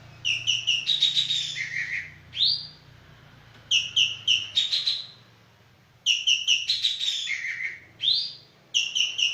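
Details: Javan green magpie calling actively. Loud phrases of rapid, ringing whistled notes, each burst followed by a lower drawn-out note and a rising sweep, repeated three times over about nine seconds.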